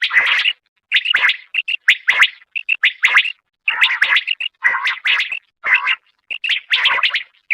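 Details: Batair quail song made of dense clusters of sharp chirps and short trilled notes, delivered in quick bursts about once a second with short pauses, clear and loud with no other sounds.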